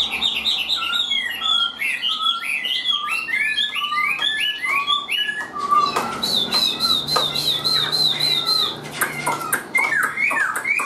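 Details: A hand-tamed Chinese hwamei in full song, with rapid repeated whistled notes stepping up and down, then a fast trill of high repeated notes and a burst of squeaky, mixed phrases.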